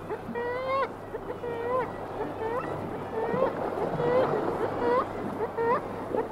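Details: Single kittiwake calling close by at a sea site, others answering farther off; nasal, harmonic-rich wailing notes, some rising and some flat, repeated roughly once a second over steady wash of sea.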